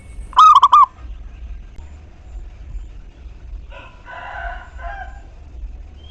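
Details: Local zebra dove, an energetic singer used as a lure to get other doves cooing: one loud phrase of four quick, rolling coo notes, followed a few seconds later by softer chattering from another bird.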